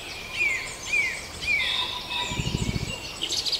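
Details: Farndale dawn chorus, with three clear downward-sliding whistles spaced about half a second apart. Softer warbling follows, then a brief low rumble of thumps and a burst of high chattering at the end.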